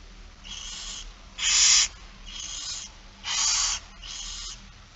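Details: Softer and louder wheezing hisses alternate, five in all, about a second apart, from a barn owl begging at a feeding on 8 September 2019, 16:02.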